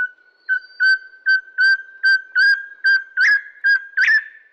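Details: Crimson-headed Partridge, a black partridge of Bornean montane forest, gives its loud, ringing, somewhat metallic "ring-ying" note about once a second, steady in pitch with brief upward inflections, over a faint continuous tone.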